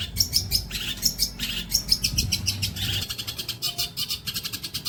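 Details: Long-tailed shrike singing as songbird training material: fast, high chattering notes and scratchy buzzes in tight clusters, with a few clear sharp whistles and a low background hum.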